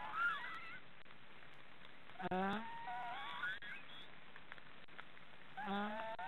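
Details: Young black storks, three in a nest in an Estonian forest, snoring with softer nasal calls: a brief high whine, then a rising harmonic call with wavering tail, and another near the end, amid hiss.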